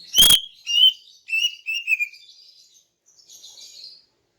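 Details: Female greater green leafbird in morning song meant to attract males: a loud click, then a few clear whistled notes falling in pitch, trailing into soft high buzzy notes.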